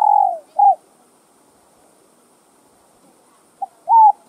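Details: Spotted dove cooing to stimulate other doves: the trailing end of a wavering coo and a short note, a long quiet gap, then a new phrase begins with a brief note and a rounded coo.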